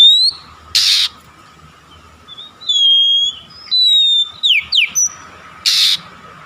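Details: Kacer (Oriental magpie-robin) singing, played as a lure to get reluctant magpie-robins singing. It gives slurred, high whistled phrases and quick swooping notes, framed by two harsh, raspy bursts, with a faint constant hum behind.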